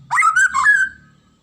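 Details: White-rumped shama (murai batu) giving a single short, loud whistled phrase with a rich, warbling quality. The phrase wavers in pitch, then trails off into a fading note, with a faint low rumble underneath.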